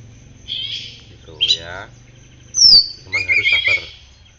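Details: Kept oriental magpie-robin singing after morning sunning and dew care. Short chirpy notes, then a brief man's voice, a sharp downward-sweeping whistle, and a rapid buzzy chattering run of notes.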